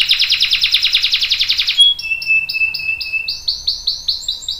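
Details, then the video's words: Canary rolling song used as a lure for other canaries: a fast pulsing trill, then a steady thin whistle, followed by a string of short rising chirps repeated about twice a second. "KENARI GACOR NGEROL panjang bagus untuk PANCINGAN dan MASTERAN biar ikut BUNYI | CANARY SINGING"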